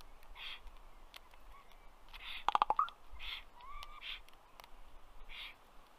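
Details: Common raven perched on a black stork nest tree in southern Estonia's Karula National Park, May afternoon: scattered croaks and soft gurgles, then a fast burst of four or five hard clicks, followed by more throaty notes.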